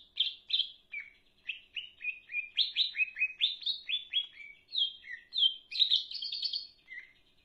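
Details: Lively leafbird song: a nonstop stream of varied high chirps and short slurred whistles, some rising, some dropping, tumbling together without a pause.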